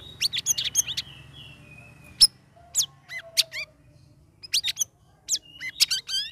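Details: Ngeriwik ngeplong song of a caged sooty-headed bulbul kept in an ombyokan for three weeks. Fast series of sharp, high chirps and swooping whistles in separate bursts with short pauses, against a quiet background.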